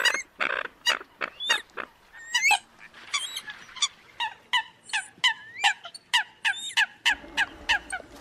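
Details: Eurasian coot competing call used against rival birds: sharp, nasal notes about twice a second, mixed with high squealing and bending whistled calls.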